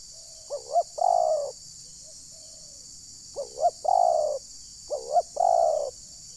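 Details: Lure call of a spotted dove for trapping wild birds in rural Rokan Hulu, Indonesia: three deep cooing phrases, a stuttering double note then a longer rolling coo, separated by pauses, and a soft faint coo between them, over high-pitched insect drone.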